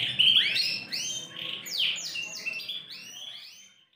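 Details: Big Yorkshire canary bearing a TKF ring gives a quick series of rising swept whistles and twittering notes that fade away toward the end.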